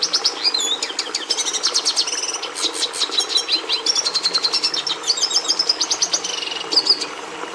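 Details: Red siskin in full song, a fast continuous run of high twitters, clicks and buzzy trills, with rapid repeated notes and brief whistled phrases woven through.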